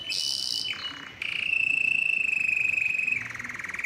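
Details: A yellow canary sings a buzzy high phrase and a short lower burst, then holds a long, even, rapid trill that drops in pitch near the end.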